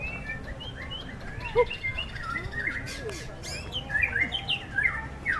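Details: White-rumped shama singing at a contest in strong wind: varied clear whistled phrases and short slurred notes, some rising and falling, with other birds' whistles overlapping and a low wind rumble throughout.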